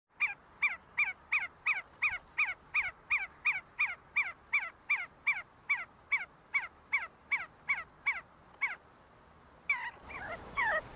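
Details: See-see partridges in a group feeding and fighting on the University of Sulaimani campus, Kurdistan: a fast, steady run of short whistled notes, each sliding downward, about three per second, ending in a brief burst of noise.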